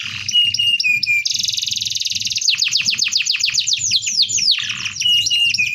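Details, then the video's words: Canary delivering a packed rolling song suited to tutoring: a fast rattling roll, a very high sizzling trill, then about a dozen rapid downswept whistles and a burst of quick notes. "BURUNG KENARI ⁉️ SUAra NGEROL PADAT COCOK UNtuk Masteran"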